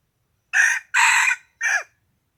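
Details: Morning crow of a rooster brought out to try crowing, recorded 27 February 2020: a loud, coarse three-syllable call with a long middle note and a brief downward-sliding ending, little background noise.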